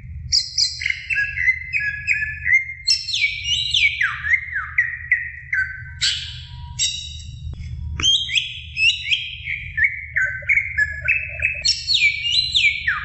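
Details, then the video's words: Greater green leafbird female calling to a male, a long run of loud varied whistles, chattering trills and downward-sliding phrases repeated in bursts, with steady low background hum. "Suara Cucak Ijo Betina Memanggil Jantan"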